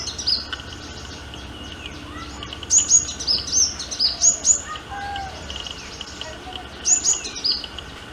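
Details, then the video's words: Sunbird courtship song of high, quick, sliding chirps in two clusters, with quieter murmuring background sound between them. "Sunbird - Courtship Song & Acts I Song of Sunbird"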